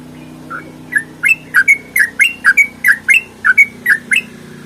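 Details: Sooty-headed bulbul fighting song for tutoring birds to sing: after a quiet start, clipped warbled notes follow quickly, some doubled, over a faint low hum.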